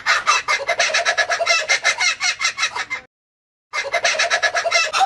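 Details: Laughing kookaburra giving a rolling, cackling laugh of quick harsh syllables for about three seconds, then a short silence, then another burst of the same raucous chuckling.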